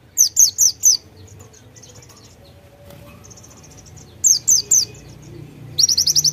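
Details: White-eye singing in nembak style with konin imitations: groups of three or four loud high chirps separated by soft twittering and pauses, ending in a rapid run of high notes.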